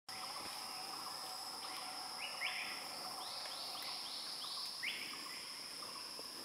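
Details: Male banded kingfisher gives a series of quick upward-sweeping whistled notes, spaced at first, then bunched into a fast run before one last rising whistle, over a constant high insect drone.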